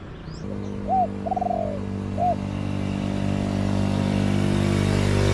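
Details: Spotted dove calling back to a decoy in a garden: one short coo, a rolling burred note and a closing coo, after which a low humming motor fills the rest.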